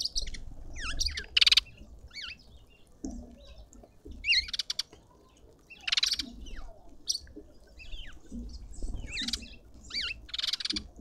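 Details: Green wood hoopoe close up in a South African suburban garden in Pretoria: repeated harsh rasping bursts every second or two, mixed with quick looping whistled notes from other garden birds.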